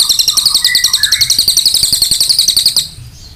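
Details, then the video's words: Ashy tailorbird (cililin) singing in full, lively voice: a rapid, sharp, high-pitched chattering series of short notes, about four per second, pouring out continuously for nearly three seconds before stopping abruptly. "cililin gacor suara tajam"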